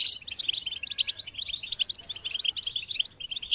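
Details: Goldfinch singing for songbird stimulation and training: steady, continuous run of bright twittering chirps and short trills, with a soft low background hum underneath.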